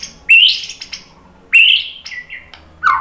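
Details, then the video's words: White-rumped shama in full song, used as a provocation lure. Sharp rising whistled notes come in separate bursts about every second and a quarter, each followed by quick slurred chips and a lower falling note. "Kicauan MURAI BATU bikin NYAUT ikut BUNYI GACOR BONGKAR MATERI ¦ PANCINGAN MURAI"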